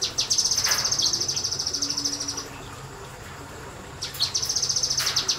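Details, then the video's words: Kinoi bird in semi-wild conditions singing its rapid-fire nembak style: a fast, high, thin trill of sharp repeated notes for over two seconds, a pause, then another burst, over a steady low hum. "BURUNG KINOI NEMBAK NEMBAK DI SEMI ALAM"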